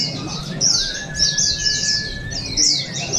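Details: Sarawak white-eyes competing at the Balingian Pesta Bederun, 2023: loud, very high, rapidly tumbling chirp phrases in pulses about every half second, backed by a thin sustained whistle.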